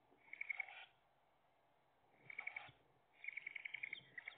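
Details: Tawny owls at a nest box, dated 3/5/2021, as the female brings a large earthworm to her nestlings: three bursts of rapid, high, pulsed twittering chirps, each under a second long, separated by short pauses, over quiet background hiss.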